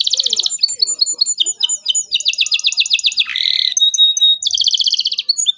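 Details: Energetic local canary song used to coax young birds into singing: rapid trills, clipped chirps and a brief buzzy roll, phrases changing every second or so.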